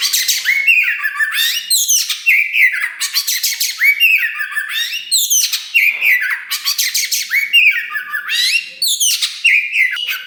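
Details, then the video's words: Loud, continuous song from a dark wulung-form Oriental magpie-robin, a young bird with a still-growing tail, used to stir other birds into singing. Dense bursts of shrill whistles and scratchy trills repeat roughly every two seconds, separated by short clear phrases. "KACER WULUNG RAJA LANGKA GACOR DOR !! BARU DORONG EKOR TAPI GACOR SUARA KERAS TOA || VOICE OF KACER"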